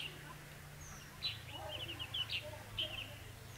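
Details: Red-whiskered bulbul at a trapping site, recorded 4 November 2016; short bursts of bright, chirpy, warbling notes from about 1.2 to 3 seconds, over a steady low hum and faint background noise.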